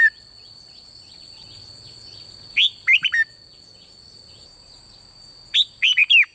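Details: Red-whiskered bulbul singing rik in the bern style, a recording meant to provoke other birds to sing. Two phrases about three seconds apart, each a quick run of four rich, slurred whistles falling at the end. A constant thin tone hums throughout.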